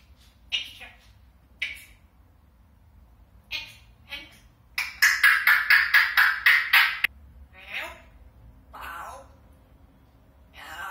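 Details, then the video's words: African grey parrot talking in what sounds like Lithuanian, chattering speech-like syllables with a rapid run of about a dozen clipped, repeated sounds midway, then scattered word-like phrases. "African grey parrot talking"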